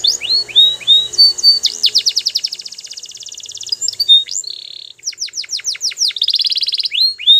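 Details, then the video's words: Belgian canary in training song: sweeping whistled notes lead into long rapid rattling trills, a steady buzzy tone, then repeated falling sweeps and another fast trill, with faint background hiss. "The Best Canary Training | Belgian Canary Singing"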